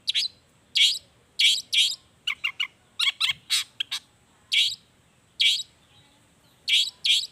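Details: Singing long-tailed shrike, a lure recording meant to set other shrikes singing: loud harsh rasping bursts alternating with tight clusters of short clipped chips, irregularly spaced over several seconds.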